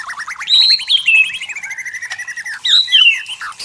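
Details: White-rumped shama singing in forest, its long sweet whistles gliding downward over a fast pulsing trill, then a second whistled phrase.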